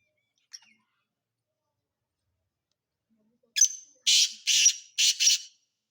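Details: Sindhi black francolin, silent at first, then a grating call phrase: a brief lead note and four coarse, buzzy bursts ending in a quick doubled pair.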